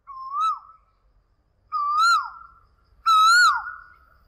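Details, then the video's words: An Asian koel gives three loud, clear rising whistles, about one every one and a half seconds, each stronger than the last, against a quiet background. "Koel sounds | cuckoo sounds | kuyil sound"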